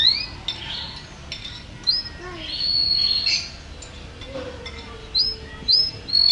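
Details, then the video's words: Champion-class singing canary giving bright, high whistled notes that sweep upward, a level whistle held for about a second in the middle, then three quick rising notes near the end over a faint steady hiss. "suara kicauan burung KENARI"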